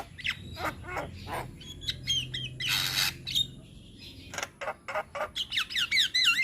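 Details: Young Javan myna in full varied song: sharp clicks, a loud rasping burst, then a run of quick wavering whistled notes at the end.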